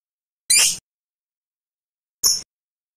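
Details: Lovebird giving two short, shrill, harsh squawks about two seconds apart, the first slightly longer, in otherwise complete silence.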